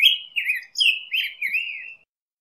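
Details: Song of the black-headed grosbeak, five sweet, slurred whistled phrases in quick succession, rising and dipping, ending in a longer drawn-out note, then silence; no other sounds.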